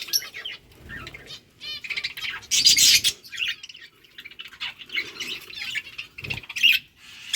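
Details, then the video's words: Lovebirds chirping while eating boiled rice: harsh squawks and chattering chirps in irregular bursts, with scratchy feeding noises and a few clear whistled notes. "Birds chirping sounds Lovebirds eating food"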